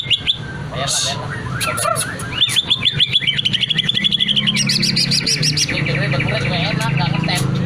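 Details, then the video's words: Greater green leafbird in full, long-running song, showing off its repertoire: rapid strings of bright chirps and whistles, a run of quick repeated notes near the middle, then higher trills, over a steady low hum. "cucak ijo Gacor bongkar isian durasi panjang cocok untuk memancing burung cucak ijo ikut bunyi"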